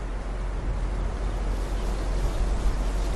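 Steady low rumble of wind or engine noise in open country, with no animal voices heard.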